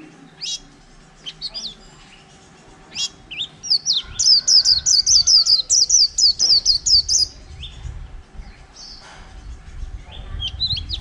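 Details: A white-eye in a cage, caught wild over a month earlier, gives a three-second run of fast, high, chattering líu notes among scattered softer chirps, with low rumbling background noise.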